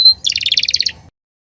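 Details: A single brief Belgian canary phrase: one high whistled note, then a quick even rattle of bright notes, ending in silence.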